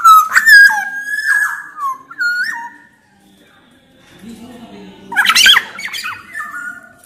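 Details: Loud black-naped oriole from Sumbawa, sung to prompt other orioles into song: a series of ringing whistles with abrupt drops in pitch, a quiet pause, then a harsh rasping burst followed by further whistles.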